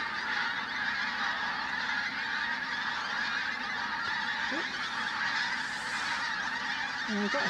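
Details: Large flock of pink-footed geese at Flitcham on 5 January, a continuous dense chorus of overlapping honking calls, steady throughout, with a few brief lower sounds near the end.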